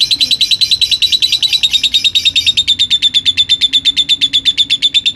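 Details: Lutino rosy-faced lovebird from Gresik, East Java, a contest winner, giving a long trilling 'ngekek' song: a steady run of rapid, evenly spaced chattering notes, held at one pitch for the whole stretch.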